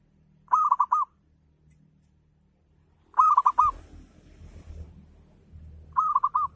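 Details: Zebra dove, local perkutut, in full ngayer song used to stimulate others to reply; three phrases of quick looping coos, each about half a second long, spaced roughly two and a half seconds apart, low background rumble.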